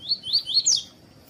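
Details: Coleiro tui-tui, or double-collared seedeater, used for training and warming up tournament males alongside a calling female: four clear, high, upslurred whistles in under a second, the last sharper and brighter, over a quiet background.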